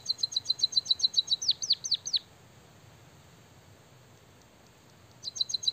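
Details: White-headed munia singing energetically, its song filled with canary-learned phrases: a fast run of bright high ticking notes, then four steep downward-swooping whistles, a pause, and the rapid ticks starting again.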